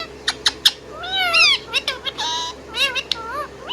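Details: Indian ringneck parrot, kept as a pet bird, giving sharp clicking chirps, then wavering, harmonic whistles that rise and fall, with short buzzy notes in between.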